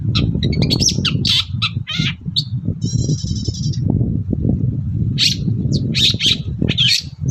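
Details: Morning song of a long-tailed shrike, played as a lure to draw replies from other shrikes: scratchy chattered phrases, then a dry buzzy rattle, then more sharp squeaky notes, with a steady low rumble underneath.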